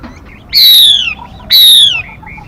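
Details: Two loud, drawn-out whistles from a female Mi bird, each sliding downward and spaced a second apart, with faint chirps after; used as a decoy to lure and stimulate male birds.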